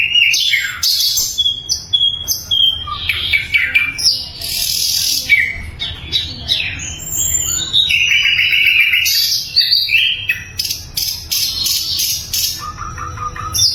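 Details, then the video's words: Loud sikatan londo flycatcher song used as training material for songbirds such as murai: varied phrases of high whistles, rapid chips, buzzy trills and falling slurs, with brief pauses between bursts. "SIKATAN LONDO GACOR - SUARA LANTANG & SUPER JERNIH"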